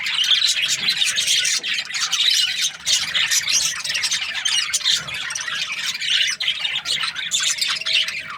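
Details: Australian budgerigar flock chirping: loud, shrill, scratchy notes and rapid tweets pour out almost continuously, with brief dips in volume.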